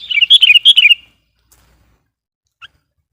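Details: Sooty-headed bulbul (kutilang) lure bird, a chatty 'gacor' singer used to call and provoke wild bulbuls: one quick bubbly run of warbled notes lasting about a second, then silence apart from a faint distant chip.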